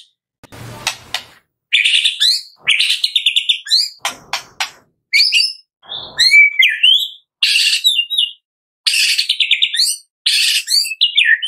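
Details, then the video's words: White-rumped shama (murai batu Medan) in full song used as a morning lure to prompt other birds to sing: rich whistles, rapid chattering trills and sharp rising notes in roughly one-second bursts, delivered almost continuously. "MURAI BATU MEDAN GACOR FULL ISIAN"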